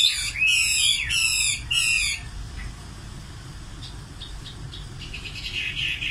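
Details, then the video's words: Nightingale repeats four loud, harsh, buzzy notes at a steady pace, then goes quieter with scattered soft chirps over background hiss. "Singing nightingale. amazing bird song"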